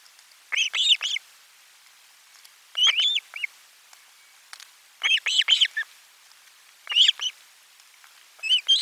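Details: Osprey at nest #4 during a lunch fish delivery on 12 July 2022: clustered high, piping whistled yelps in groups of two to four, repeated roughly every two seconds with brief pauses, in a calm, quiet setting.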